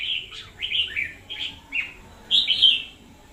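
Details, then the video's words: Red-whiskered bulbul kept as a lure bird, singing very vigorously in 2021: a run of short, warbled phrases, each rising then falling, with a brighter, louder burst near the end over a quiet background. "Chào Mào mồi chóe cực sung"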